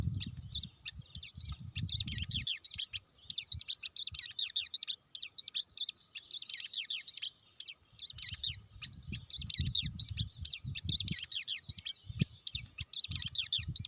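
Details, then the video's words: Blue-winged leafbird pouring out a long, fast stream of thin high chirps and twittering slurs, nearly continuous. Low thumping knocks come through at the start and again in the second half. "tiếng chim cánh xanh"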